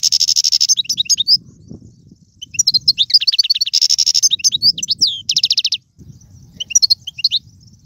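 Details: European goldfinch delivering tiwawati, galoubi and serfati song, Algerian styles: harsh buzzy trills alternate with quick high chirping phrases, steady low rumble underneath.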